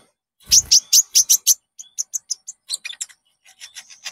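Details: Lure song of the Konin, played to train caged birds to sing: a fast run of loud, sharp high chirps that softens into quicker, thinner twittering notes.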